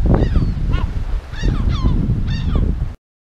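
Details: Yellow-legged gull defending its breeding colony on the Illas Estelas, Nigrán, Galicia: loud, harsh descending yelping calls in quick bursts, with heavy wind rumble throughout.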